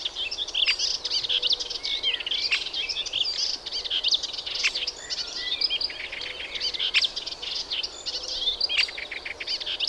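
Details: Melodious warbler in sustained song: a rapid, unbroken stream of varied chattering, twittering and scratchy high notes for the whole stretch, busy and hurried, over soft outdoor background noise.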